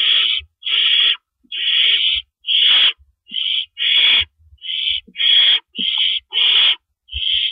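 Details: Owls at their nest before dawn on April 4, 2012, as adults swap rabbits in and out; about a dozen rasping, hissy screeches in quick succession, some overlapping, with low knocks from movement.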